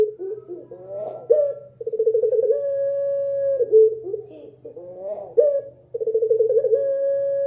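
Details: Dove singing at night, a low drawn-out coo held steady for about a second, broken by short rising wavering phrases and repeated in a slow cycle, with a quiet low hum beneath.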